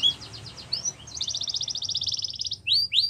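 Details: Canary singing, meant to stimulate other canaries to sing: soft repeated notes, a swept whistle, then a long fast rattling trill and two loud rising whistles at the end.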